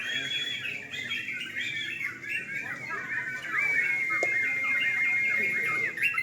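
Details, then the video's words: Yellow-vented bulbuls singing at a night-time singing contest: a dense chorus of overlapping chattering, bubbly phrases from several birds, with one long steady whistled note held near the end; faint human voices underneath. "Lomba burung trucukan"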